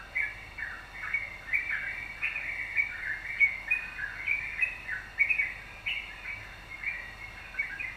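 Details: Energetic yellow-vented bulbul song used to entice other birds to sing: an unbroken run of warbling, bubbly phrases with short upslurred notes, steady and lively throughout.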